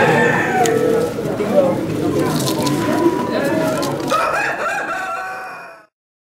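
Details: Belgian Bearded d'Uccle chickens, rooster and hen, among bantams at the Saint-Omer international poultry show. A harsh, stretched crow rises out of steady crowd chatter and other fowl noise near the end, then the sound cuts off.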